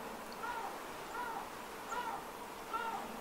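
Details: Female common pochards in winter, Aiguamolls Natural Park, Spain, 27 January 2022: soft, harsh, nasal rolling notes repeated about every three-quarters of a second over steady background noise.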